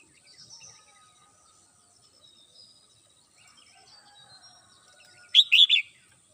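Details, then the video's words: Red-whiskered bulbul kept at home in the morning gives one loud, quick warbled phrase of three notes near the end, after a stretch of faint high twittering. "CHim Chào Mào Mơ nhà mình hót buổi sáng"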